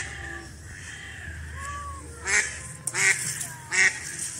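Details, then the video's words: Duck calling in a natural setting: three loud, harsh, nasal quacks at roughly 0.7-second intervals in the second half, after a quieter stretch with faint tonal whistles and soft background noise. "duck sound"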